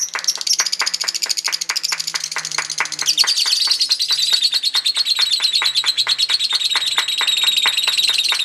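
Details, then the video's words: Lovebird's long chatter in a singing competition: a fast, unbroken stream of high, rattling notes, more than two a second, holding steady throughout. "Kicauan Pertarungan Love Bird Ngekek Panjang"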